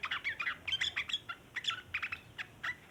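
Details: Long chattering song of a sooty-headed bulbul, used to lure other bulbuls: quick run of scratchy, warbled chirps in uneven clusters, nearly continuous across the whole stretch.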